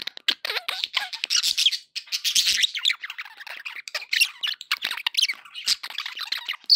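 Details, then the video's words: Pet budgies heard in happy chatter: dense, continuous warbling with scratchy squawks, chirps and rapid twittering notes, several birds calling over one another without pause. "happy budgie sounds"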